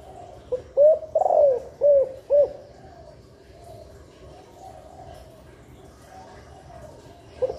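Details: Female spotted dove call used to prompt nesting and quicker laying and to fire up males; a single phrase of soft low coos with a long quavering central note, followed by several seconds of near silence and a final faint coo.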